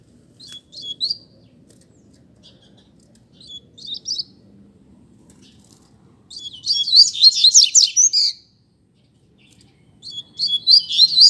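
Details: Contest song of a caged rusty-collared seedeater: brief high chirps early on, then a dense, rapid, rattling warble near the end, followed by a silence and a final burst; soft room hum below.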